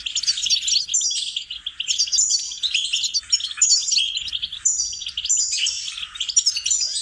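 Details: Goldfinch singing in a training recording for songbirds, delivering bursts of rapid liquid twitters and bright whistled notes in phrases of about one to two seconds separated by short gaps.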